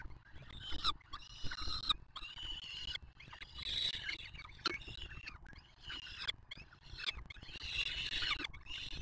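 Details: Peregrine falcons at a nest on the Museo de América in Madrid, live nest camera, with chicks and feeding: harsh, grating screams in long bursts, broken by short pauses, over a steady low city rumble.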